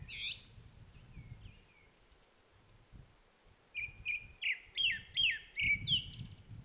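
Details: Grey-backed thrush (Turdus hortulorum) singing at an otter marsh of Upo wetland, South Korea, among blooming Chinese milk vetch: clear high whistled notes, then a quick run of about six fluty slurred phrases in under three seconds, over low wind rumble.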